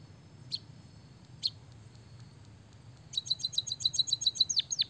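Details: White-headed munia singing with canary-style fill-in: two isolated high chips, then a rapid burst of high bright notes ending in steep downward-swept whistles, over faint low background hum.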